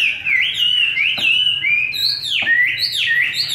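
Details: Chinese hwamei of forest-voice style, fed homemade feed, pouring out clear sustained whistles with deep downward swoops and rising loops, loud and unbroken for over three seconds.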